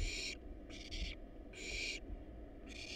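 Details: Wild barn owl chicks begging in their nest box while eating rat and rabbit: several coarse, loud hissing rasps of about a third of a second, over low rumbling box noise.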